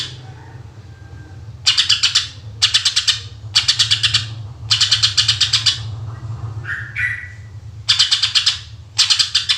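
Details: Greater green leafbird song in the 'tembakan' style, used to lure other birds: dense rattling bursts of high pulses in close succession, broken once by brief thin whistled notes, with a low hum underneath.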